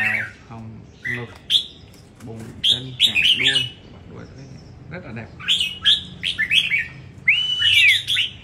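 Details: Red-whiskered bulbul at a song competition, Đồng Nai: chirpy warbled bursts and a long arched whistle near the end, while people talk audibly underneath.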